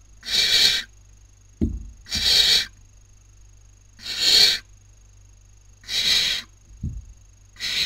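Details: Nest of barn owl chicks, Cabañeros National Park, Toledo/Ciudad Real, Spain, in the 2019 breeding season, one snatching a sibling's dinner. Five harsh hisses roughly every two seconds, interrupted by sharp low knocks.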